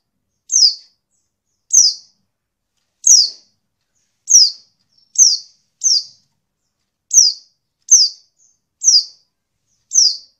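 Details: Female Oriental white-eye calling, used to provoke males into singing quickly as in the wild: clean, high, downward-slurred chirps, each short and sharp, repeated roughly every second in a steady series of ten, with silence between.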